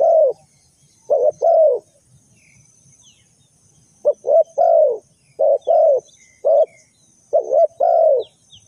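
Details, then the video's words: Spotted dove calling as a trap decoy, delivering repeated two-note coos with a brief lead note and a fuller, arched second note. There is a two-second gap midway and a faint high background hiss. "The Sound Of A Spotted Dove is very good"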